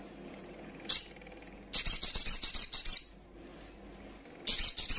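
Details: Female little spiderhunter, a young bird, giving a call said to rouse rivals. A few brief piercing chirps open, then a long rapid run of high sharp notes lasting over a second, ending with another quick chirping burst.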